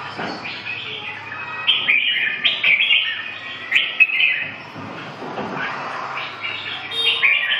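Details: Red-whiskered bulbul singing a series of quick, cheerful warbled phrases with slurred whistles, some notes repeated rapidly, against a noisy background hiss.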